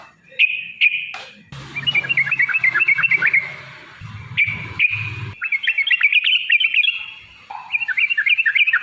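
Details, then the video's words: Yellow-vented bulbul (trucuk) fighting song used to lure birds into answering. Bursts of bright whistled notes are broken by short pauses, then a long rapid run of jerky rising-falling phrases, with low rumbling handling noise beneath. "trucukan gacor TARUNG ROPEL PANJANG pancingan trucukan agar bunyi jadikan burung trucuk gacor EMOSI"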